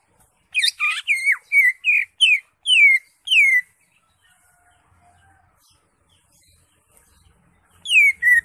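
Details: Ngekek-style song of a Greater green leafbird: a complex burst, then a string of loud whistled notes falling in pitch, each about half a second apart, silence, and two more falling whistles at the end.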